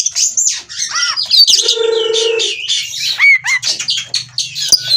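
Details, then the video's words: Oriental magpie-robin in breeding condition, ngobra display, from a breeding farm in Cirebon, Indonesia. High whistled notes, a buzzy nasal rasp near the middle, then varied slurs and chips over a soft low hum. "Kacer Minta Kawin Bongkar Materi Terapi Ampuh Stabilkan Birahi dan Emosi/Kacer Ngobra"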